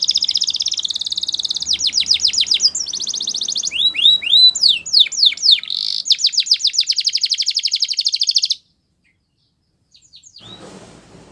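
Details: Singing Russian canary: a dense high trill, then rolling sweeps and looping whistled notes, then a long rapid rattle that stops abruptly, leaving near silence with a faint final note.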